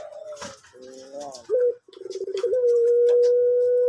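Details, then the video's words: Orange male collared dove of the pelung type, bird-farm kept, soft-voiced: rough stuttering notes build into a long, smooth, level coo sustained about one and a half seconds. "Puter Pelung Orange Jantan Suara Empuk"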